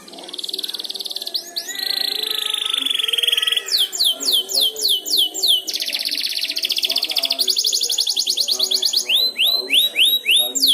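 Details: Young canary learning 'ngeriwik' chirping song, prompted by another canary's song: high upward-sweeping whistles, a buzzy drawn-out trill, then fast repeated rising notes and dense rattling trills ending in clipped whistled sweeps.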